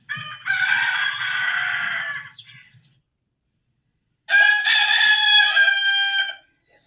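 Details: Two roosters crowing in competition with each other, a long morning call that wakes people: two drawn-out, harsh, harmonic crows of about two seconds each, separated by a silent pause, with faint low clucking under the first.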